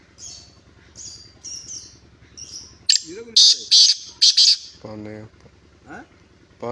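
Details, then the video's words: Black francolin, called Kala Tetar or Chiringa in Sindhi; a run of loud, harsh, grating bursts mid-clip, framed by softer high chirps from other birds and a man's voice talking low underneath. "Chiringa Sindhi Kala Tetar, Black Francolin Beauty Vioce"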